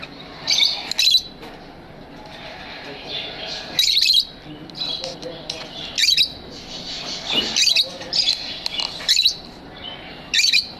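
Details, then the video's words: Pet lovebirds in an aviary give shrill, scratchy chirps in bursts every one to two seconds over a steady chattering background of more birds. "Lovebird Singing & Chirping Sounds"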